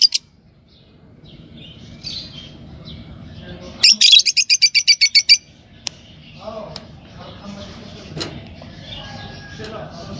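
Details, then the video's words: Pair of green Fischer's lovebirds chirping: a rapid burst of about twelve sharp high chirps over roughly one and a half seconds, with scattered softer twitters and a low background hum. "Lovebird Talking & Chirping Sound – Green Fisher Pair"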